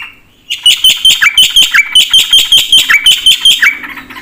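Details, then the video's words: Black-winged starling singing energetically with varied fill-in phrases. After a brief quiet start, loud harsh chattering notes repeat about three times a second, with strident high overtones and occasional downward-slurred whistles. "suara burung jalak putih gacor full isian"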